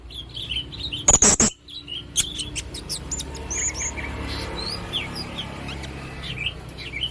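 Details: Red-necked blue-crowned hanging parrot singing very actively: a loud crackling burst, then scattered high, thin, sliding chirps and short rising notes over a low background hum.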